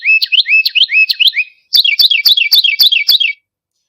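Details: In late winter, as birds begin singing and pairing up, a Carolina wren gives loud, rich, rolling whistled phrases, about four per second, in two quick bursts with a brief pause between; nothing else is heard.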